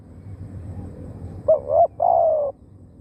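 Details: One cooing phrase from a decoy spotted dove luring wild birds: a brief clipped note, a rising coo, then a long even mellow coo, with faint rural hum behind.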